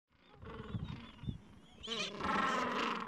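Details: Gentoo penguins at the edge of a breeding colony in the Falkland Islands, adults tending two-to-three-week-old chicks and nests on a mild afternoon; low grunting gives way to loud, harsh, harmonic braying from several birds at once.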